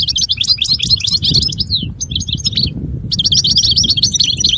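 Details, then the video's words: Loud European goldfinch song, a continuous rapid liquid twitter of tinkling notes with a brief break midway, over steady low background noise. "Chant Chardonneret تغريد طائر الحسون"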